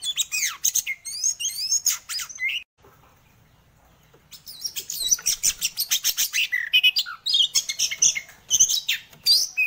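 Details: Loud, vigorous song of a white-rumped shama: varied whistled phrases and rapid harsh chattering bursts, a brief pause near the third second, then dense repeated high notes to the end.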